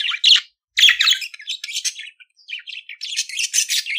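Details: Budgerigar warbling, a recording for teaching budgies to sing: loud chirps, then a steady rambling chatter of scratchy, buzzing and squeaky notes with short breaks.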